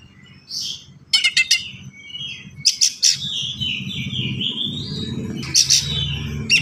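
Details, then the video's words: Oriental magpie-robin song with dense varied phrases: clipped chattering bursts, a long wavering whistle, and further rattles, over a low background rumble. "KACER GACOR SPEED RAPAT FULL ISIAN"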